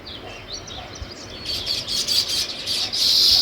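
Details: Sparrow chirps, sparse at first, then building into a louder, denser run of rapid high notes.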